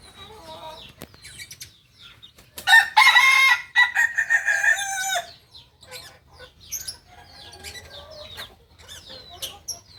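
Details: A Kukuak balenggek chicken, the singing breed of Solok, West Sumatra, delivers one loud crow of about two and a half seconds, a chain of stepped, ringing syllables. Quieter chirps and clucks surround it before and after.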